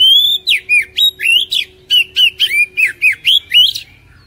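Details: Oriental magpie-robin song used to get a caged bird singing: a fast run of clear, swooping whistled phrases, about four per second, rising and falling, with a faint steady low hum behind.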